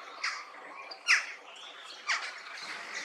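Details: Resident peregrine falcons at a quarry, chests temporarily stained pink by iron oxide in the limestone and clay, screaming: three loud, harsh, rasping cries about once a second, each a short broadband burst with quieter background between.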